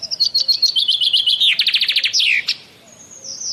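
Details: Common myna (shalik) from India: a fast run of scratchy, evenly repeated high notes building into a louder rattling trill that drops sharply, followed by a faint thin buzzy tail.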